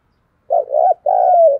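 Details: Lure spotted dove cooing to draw in wild doves: a low, wavering drawn-out coo, then after a brief break a longer, steady, hollow coo that slides gently downward at the end.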